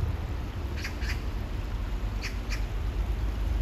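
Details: Oriental magpie in hot weather near water, giving two pairs of short harsh rasping calls, each pair spaced about a quarter second apart, over steady low rumbling background noise.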